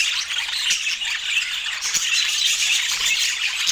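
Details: Budgerigars at a meal, many birds chattering at once in a steady, hissy blur of high chirps and squawks that never pauses.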